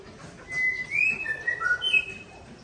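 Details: White-rumped shama of the Aceh Tangse line, singing against a rival: a short sequence of clear, pure whistles stepping down in pitch, then a higher whistle at the end.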